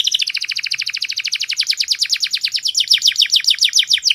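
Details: Canary singing a masteran tour, called the clearest voice, made of a single fast, even trill of sharp downward-slurred notes, about eight per second, held for the whole stretch.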